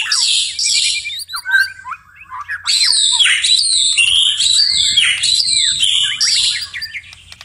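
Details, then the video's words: At night, a white-rumped shama delivers bursts of loud, complex song: harsh buzzy phrases, a brief pause with soft notes, then long tumbling strings of whistles and chatter, steady low hum in the background. "murai batu tetap gacor di malam hari"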